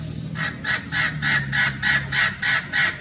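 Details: Blue-fronted x Red-crowned Amazon parrot hybrid at Irvine Regional Park, Irvine, California, January 9, 2018, in winter, calling a rapid run of nine harsh, even squawks, roughly three per second, steady in rhythm and loudness.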